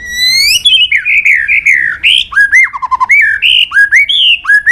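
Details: White-rumped shama, much sought after by songbird fanciers, pouring out a loud varied song: a long rising whistle, warbled phrases, a quick stuttering series of low notes, then bright swooping whistles repeated in turn.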